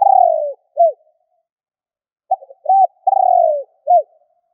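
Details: Spotted dove giving its provoking call toward wild doves. A long descending rolling coo and a hoot finish one phrase. Then a full phrase repeats: stuttered notes, an arched coo, a drawn-out purr and a closing hoot.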